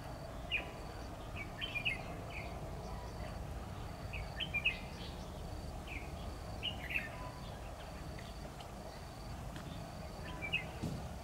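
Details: Decoy red-whiskered bulbul used for trapping, recorded 10 October 2019, singing in competition: short bright warbled phrases spaced a second or two apart across the stretch, set against constant low rumbling background noise.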